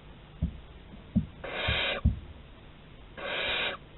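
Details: Barn owl, Théding, 11 August 2020, exploring a corridor: two drawn-out, rasping hiss-screeches about half a second each, preceded and interrupted by sharp tapping knocks.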